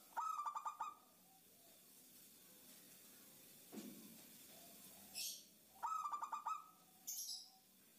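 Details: Female zebra dove calling to the male, a lure for wild doves: two quick bursts of rapid, stuttering tonal notes several seconds apart, with faint scattered sounds and a brief higher hiss in between.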